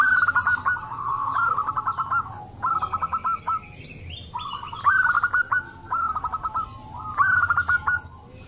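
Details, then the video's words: Local zebra doves calling in a lively chorus, used to coax other doves into calling: bursts of rapid staccato coos, each about a second long, repeat with short gaps while other birds answer faintly. "pancingan perkutut lokal agar bunyi - suara rame emang paling ampuh"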